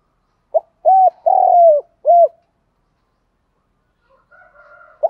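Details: Spotted dove coo used to make trained doves coo: one four-part phrase of a short note, a hollow coo, a long rolling coo and a final coo, then silence and a faint distant coo before a new phrase begins.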